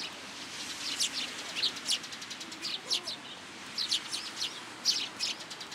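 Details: Sparrows coming onto cherry branches at a shrine to be fed on a rainy day, 26 March 2023, in Japan; a busy run of short high chirps repeated in clusters, several birds calling over steady rain hiss.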